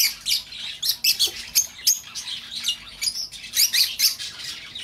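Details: Lovebird sounds for luring back a lost pet bird: quick, rhythmic shrill chirps and squeaks, about two per second, running continuously with harsh, buzzy edges.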